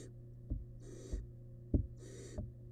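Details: Barn owl nestling, wild, inside a research nest box, devouring rabbit remains. Two long breathy hisses alternate with sharp thumps and knocks from the feeding chick, over a low electrical drone.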